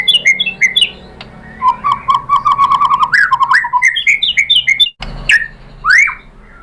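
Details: Loud, varied white-rumped shama song meant to prompt other birds to answer: quick clusters of whistled and chirping phrases jumping between pitches, with sharp clicks interspersed and a faint low hum beneath.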